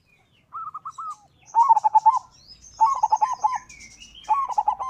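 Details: Local zebra dove singing persistently, its song used to provoke rival doves into singing: three to four stuttering bursts of short cooing notes, each a run of quick rolling syllables, with faint high chirps of other birds behind.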